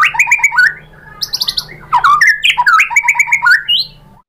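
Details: White-rumped shama, called murai batu, singing to provoke rival birds: varied chattering phrases mixing rapid repeated notes, buzzy squeaks and slurred whistles in quick succession.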